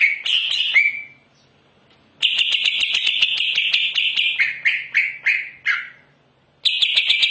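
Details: Greater green leafbird in full song: long runs of harsh, rasping chatter with rapid ticking notes, broken by short downward-slurred phrases and pauses, loud and continuous.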